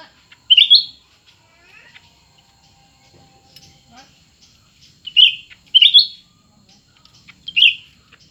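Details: Two cucak ranting, a new bird and an old one, compete in song. Short, bright whistled phrases come in paired bursts every two to three seconds, separated by quiet gaps with faint softer notes.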